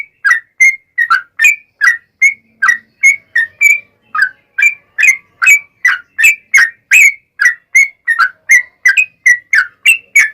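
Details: Continuous bubbly song of a yellow-vented bulbul in the long 'ropel' style, meant to lure others into answering: about two and a half warbled, rising-and-falling whistled notes per second, sustained for ten seconds without a break.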